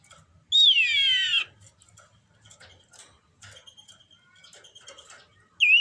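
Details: Common iora in breeding condition utters one long, rich, nasal note lasting nearly a second, then quiet faint chirps before a brief whistled note at the end.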